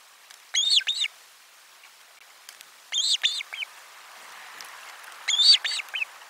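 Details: Osprey at nest camera 4 on 12 July 2022, calling around a lunchtime fish delivery; three bursts of sharp, high whistled chirps, each two or three quick notes, about 2.5 seconds apart, with faint background hiss.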